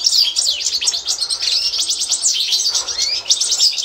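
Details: Constantine-type European goldfinch song used for teaching learner birds, 2024: tumbling high chirps, descending slurred notes and buzzy trills run together in an energetic, unbroken phrase.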